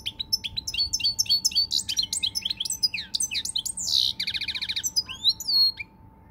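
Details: Pied European goldfinch singing on 20 March 2020, a dense, continuous stream of sweet twitters, slurred whistles and a fast buzzy trill near the end, over a steady faint hum.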